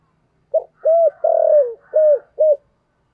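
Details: Decoy spotted dove with 'giọng thổ' voice, cooing to entice wild doves: one low five-note phrase with a long descending middle coo, overlaid by faint, thin calls of other birds.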